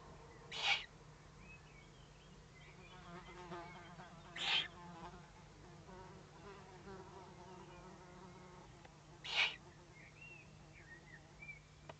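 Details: Warning sounds from threatened owlets, evening of 22 May 2015 at 20:42; three harsh, noisy hissing bursts spaced irregularly, roughly every four to five seconds, with faint thin whistles of other birds and low hum behind.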